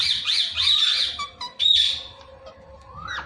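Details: A pet Indian ringneck parrot, known for talking, gives long harsh screeching squawks, a brief pause, then another loud grating squawk fading into a soft rising whistle.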